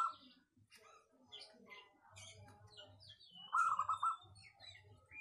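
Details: Local zebra dove with a clear, dense voice used for luring, producing a quick rolling coo phrase late in the clip amid scattered high chirps of other birds and soft low thumps.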